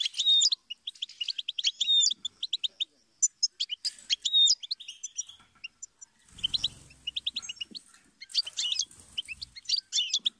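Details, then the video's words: A goldfinch's twittering song: dense, tinkling runs of high chirps and whistled slurs, with a low thudding knock around six seconds before the jangling phrases resume. "Melodies of Inspiration Motivational Goldfinch Serenade"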